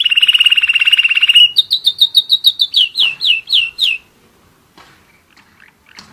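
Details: One-year-old German Roller-split canary: a buzzy fast trill, then a run of slurred whistled notes slowing and dropping slightly, followed by near silence with faint clicks.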